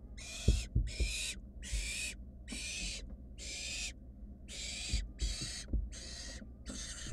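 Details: Wild barn owl nestlings in a monitored nest box searching for food after a sibling swallowed a mouse; harsh, broadband hissing screeches, each about half a second, repeated in quick succession with short gaps, over low rumbling and scuffling.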